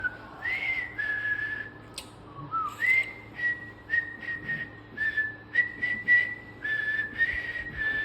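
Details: A cockatiel whistles a tune of clear, steady notes with short pauses between phrases, though it is unclear whether the owner or the bird is whistling.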